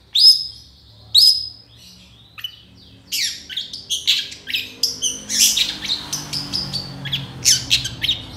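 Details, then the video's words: Long-tailed shrike in energetic full song, used as a master for training songbirds: two loud, clear, high whistled notes, then a busy stream of harsh, scratchy, varied chatter. "SUARA CENDET GACOR DOR FULL ISIAN TEMBAKAN COCOK BUAT MASTERAN BURUNG KICAU APAPUN"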